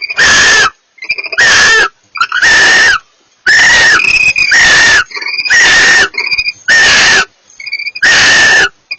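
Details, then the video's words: A pair of barn owls communicating: harsh, hissing screeches about half a second to a second long, repeated roughly every second, some overlapping, with softer shorter rasping calls between them. "A pair of barn owls communicate"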